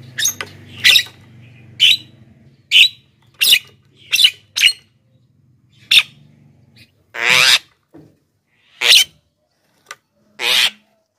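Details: Black-winged myna (jalak kebo) in active song, used to attract wild birds and prompt quiet captive ones: a run of about fourteen harsh squawks and screeches over eleven seconds, a few longer and raspier.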